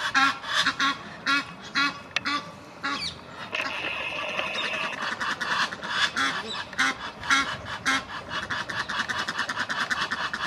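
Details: An Egyptian goose gander trying to win back his female gives harsh, nasal honking calls in rapid bursts, about two per second, with hoarse breathy notes between them.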